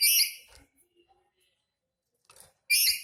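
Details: Angry black-capped lory giving two brief, harsh rasping screeches, one at the start and one at the end, separated by near silence with faint low sounds.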